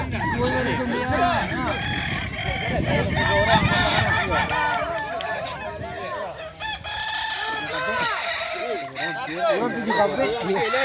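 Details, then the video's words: At a Kukuak balenggek crowing contest at Sirukam dairy farm in Solok regency, numerous roosters give long, multi-note, wavering crows in an unbroken overlapping chorus, with low crowd murmur beneath. "Lomba ayam kukuak balenggek"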